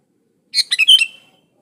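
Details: Single quick phrase from a vigorously singing sooty-headed bulbul, clean song used as a lure for other bulbuls: a burst of bubbly rising and falling whistled notes lasting under a second, ending in a drawn-out fading whistle.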